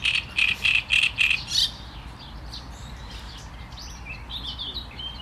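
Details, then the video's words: Great reed warbler gives five or six evenly spaced, rasping croaks in rapid succession, then the song stops and only faint distant chirps remain. "Trzciniak i jego śpiew"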